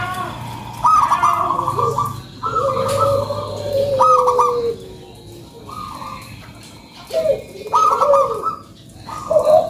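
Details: Local zebra dove lure song: clipped high opening notes lead into bubbly cooing phrases separated by quieter gaps, with a steady low hum and faint noise behind.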